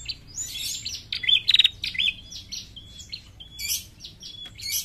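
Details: A female bar-winged prinia gives high, thin chirps and brief twittering bursts in quick irregular runs, with a few clear whistled notes between them; the call is used to lure prinias.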